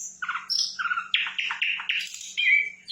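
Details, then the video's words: Rapid song from a sikatan londo flycatcher, a quick series of repeated chirping notes followed by a buzzy burst and a clear whistled note, steady faint hum behind. "Sikatan Londo Gacor"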